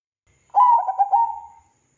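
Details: Zebra dove (perkutut) song, used as a lure to provoke other zebra doves to sing: one short phrase of soft, low cooing notes tumbling quickly together for about a second, over a clean, quiet background.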